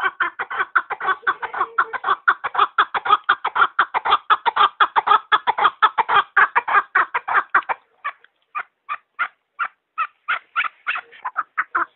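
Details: Chukar partridge calling in a fast, dense volley of clucking notes that thins after about eight seconds into sparser, spaced chuk calls.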